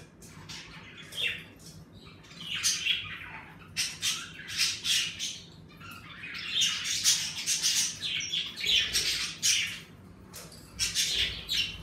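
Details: Pet budgerigars in an indoor bird room, lively as the weather warms, chatter in dense bursts of harsh squawks and bright high chirps, several birds overlapping, with brief quieter gaps between flurries.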